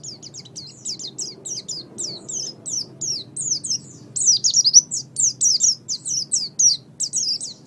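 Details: Singing Oriental white-eye, known locally as pleci, used as a master recording to train songbirds: soft high chirps build into a louder, rapid chain of sweeping twittered notes, over a faint low hum.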